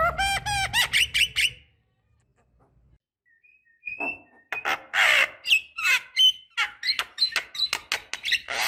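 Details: Black-winged starling, a female calling to males and used as a lure for young birds: a burst of harsh rising notes, a quiet gap with soft short whistles, then dense chattering mixed with squawks and sharp whistled notes.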